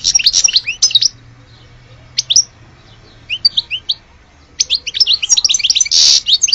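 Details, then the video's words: Goldfinch of Alge singing in broken phrases: a burst of twittering, quiet gaps with a few scattered chirps, then a renewed rapid twittering run ending in a buzzy note. "Le vrai chardoneret de Alge"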